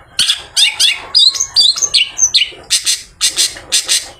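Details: Long-tailed shrike singing after bathing, used to draw other shrikes in the afternoon: squeaky twisting notes and downward slurs in quick succession, followed by harsh, broad rasping bursts repeated roughly every quarter second.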